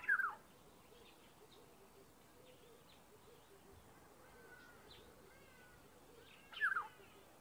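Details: Black-headed oriole calling from a garden tree in South Africa; two brief liquid slurred whistles at the start and end, separated by a quiet stretch of faint chirps from other birds.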